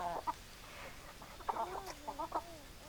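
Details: Chickens giving low, rounded clucks in uneven clusters, a short drawn-out note in between, set against a soft hiss.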